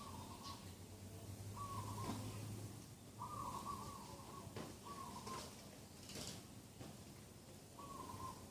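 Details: Birds calling on a clear morning, 27 September 2021: short flat notes, each about half a second, repeated at irregular intervals over a steady low hum.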